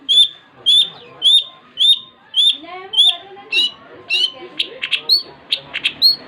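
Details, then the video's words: Long-tailed shrike (cendet) singing in full, lively 'gacor' style: a run of sharp upslurred whistles repeated about every 0.6 seconds, then buzzier, rougher notes and quicker chips toward the end. "Suara burung cendet gacor"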